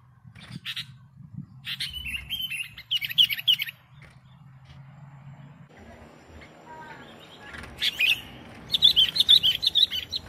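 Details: Sooty-headed bulbul in full song, as used to lure birds: bursts of high chirps and quick warbled notes, with a noisy quieter middle stretch before a final rapid run of chirps.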